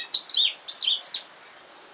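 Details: Caged male black-throated canary, just bought and back home in the afternoon, gives a short high phrase of slurred whistled notes ending in a thin drawn-out descending note.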